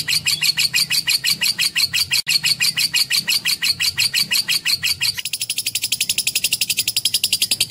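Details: Lovebird producing a long, clear song of quick, bright chirps in steady pulses, then switching after about five seconds to a faster, thinner, higher-pitched rattle of tiny notes.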